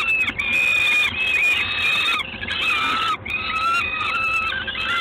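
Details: At Gdańsk, Poland, on the evening of 3 June 2016, a peregrine falcon utters steady, whining calls in long phrases. A short pause near the second mark and another near the third break up the phrases.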